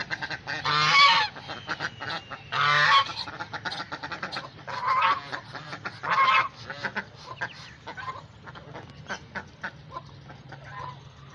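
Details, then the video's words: Domestic geese with ducks being fed at home give loud, harsh nasal honks, four strong ones about two seconds apart, followed by softer chattering calls from the flock. "Geese Ducks sounds"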